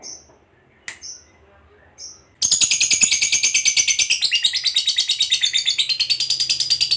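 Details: Lovebird, fighter type, a few short sharp chips and then a sudden long ngekek trill: rapid, steady, shrill chattering notes about six per second, given to provoke other lovebirds.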